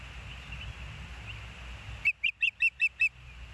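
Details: Osprey at the Hellgate nest, picked up by a live nest camera on 06/11/2024 at 13:19: a low steady rumble, then a sudden run of six sharp, whistled chirps, each with a slight rise, about five per second.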